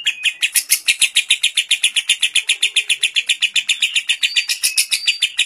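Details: Captive lovebird with kapas tembak fill in a long ngekek for song training: a quick, dense stream of sharp chattering pulses, nearly four per second, steady and shrill throughout.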